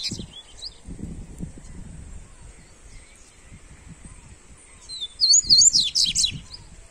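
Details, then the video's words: Double-collared seedeater warm-up recording: a few faint high notes, a quiet stretch with low rumbling, then a loud, hurried phrase of sharp, twisting high whistles near the end. "Esquente seu papacapim Coleiro"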